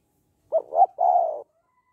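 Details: Spotted dove calling in the 'hạp bổi' style meant to push males into calling fast; one phrase of two brief hooting notes, then a drawn-out even coo, nearly a second long, no other sounds around it.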